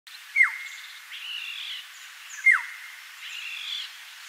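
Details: Green-headed Oriole at Pafuri in Kruger, South Africa, 18 June 2019, giving a sharp, sharply falling note twice, about two seconds apart, each followed by a softer, nasal, wavering phrase; faint background hiss.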